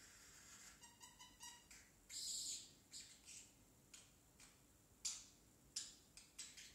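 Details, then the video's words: Baby pet parrotlet trying to talk: quick stuttering chirps, then a longer harsh scratchy syllable, followed by scattered sharp clicks and short squeaky notes, indoors. "Parrotlet talking"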